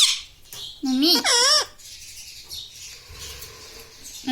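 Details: Indoor pet parrot uttering a quick two-syllable word, bright and wavering in pitch, amid background hiss and a soft rustle.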